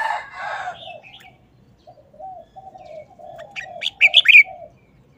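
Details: Caged red-whiskered bulbul giving a short, fast-paced wild-style song phrase, a rapid cluster of rich whistled notes near the end, after a rooster crows loudly and clucks in the background.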